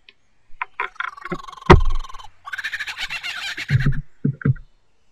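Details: A male lyrebird, mimicking other birds to out-sing rivals, copies a kookaburra: a loose run of hoots and a sharp crack, then a rapid, dense, cackling laugh, ending in low chuckles.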